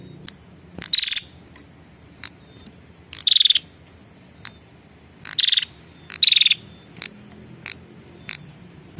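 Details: Lure recording of a female prinia calling to the male: brief buzzy trilled notes in irregular bursts, separated by sharp dry ticks over a quiet low background.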